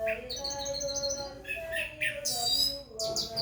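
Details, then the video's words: Orange-headed thrush singing when it hears the call to prayer or Quran recitation, mixing sharp high chips and rich whistled notes against a constant melodic chanting voice. "Anis merah sholeh..asal demgar suara adzan atau orang mengaji langsung gacor"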